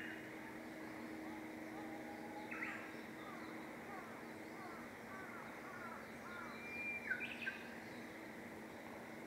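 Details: Green pheasant (Japanese pheasant, kiji) crowing: two brief, harsh, loud bursts about five seconds apart, over a steady twittering of small birds and a low background hum.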